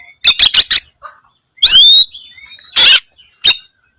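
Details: White-rumped shama, an active singer searching for a rival, gives harsh rasping bursts, one with a sliding whistled note, separated by short silences.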